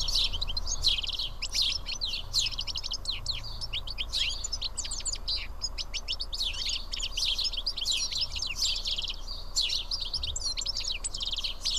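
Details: A small group of house sparrows, around seven, eats together at Karyotissa in Greece. They give a long, unbroken stream of squeaky chirps and twittering from several birds at once.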